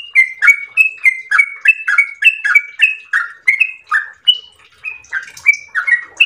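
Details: Rapid ropel singing by a yellow-vented bulbul, made of repeated chirpy two-part phrases that slow slightly midway, then end with a few higher, thinner notes.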